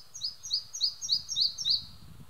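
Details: Singing male Red-breasted flycatcher at Hunneberg Nature Reserve, Västergötland, Sweden, on June 5 2015, recorded with an Olympus OM-D E-M5 II: about six bright, high two-note phrases repeated quickly in an even series over a quiet background.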